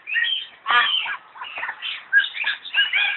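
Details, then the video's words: A myna at the Zoological Garden in Kolkata, India, gives a run of harsh, chattering notes mixed with clear whistles and gurgles, in quick uneven bursts about every half second. "Myna Bird"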